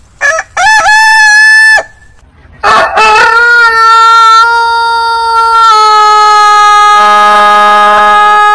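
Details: Long-crowing roosters of heritage breeds. A short crow opens, then a loud, held crow lasting a second. After a pause, a very long, steady crow stretches over five seconds, slowly softening, with a faint low hum near the end.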